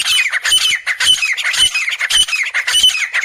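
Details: Three grey francolins in jungle give harsh, shrill calls about twice a second, the squawky notes rising and overlapping in a loud, rough chorus.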